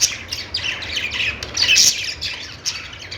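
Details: Short burst of budgerigar chatter: rapid, high-pitched chirps and squeaky warbles running together almost without a break.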